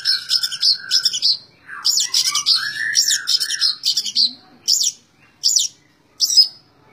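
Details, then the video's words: Long-tailed shrike's 'tembak ngebren' song: buzzy high notes over a lower wavering whistle, then a slowing series of short sharp calls spaced under a second apart. "Burung cendet tembak ngebren"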